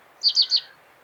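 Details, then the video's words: Common reed bunting uttering a rapid run of three high, sharp chirps in quick succession within half a second. "Как поёт Тростниковая овсянка (Emberiza schoeniclus)"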